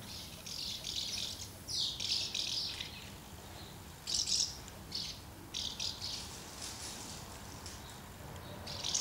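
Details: House martins assembling at a pair of nests on 24 August 2012, busily feeding young, with brief squabbles. Scratchy twittering chirrups in irregular bursts, some overlapping, over faint low noise.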